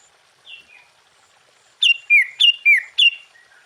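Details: Sooty-headed bulbul in full, lively song, played to stir other bulbuls into answering: after two faint whistles comes a run of five loud, clear, descending whistled notes, about three per second.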